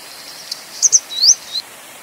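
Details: A Grey Wagtail utters two quick shrill notes and a sweeping upward whistle, closing with a short note, heard once over low steady hiss.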